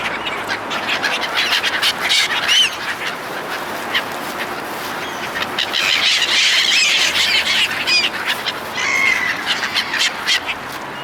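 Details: Seagulls swarming at a feeding by people: overlapping harsh squawks, a few clear rising and falling cries standing out, swelling into a dense chorus midway.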